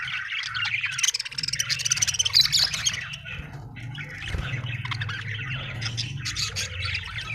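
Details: Happy budgie chirping: a stream of chattering, buzzy warbles and squeaks, a rapid run of sharp clicks early on, over a constant low rumbling hum.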